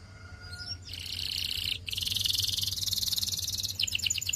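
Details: Belgian canary with faint sliding whistles, then a long, fast, bubbling trill and a run of short repeated chirps at the close, over a low background hum.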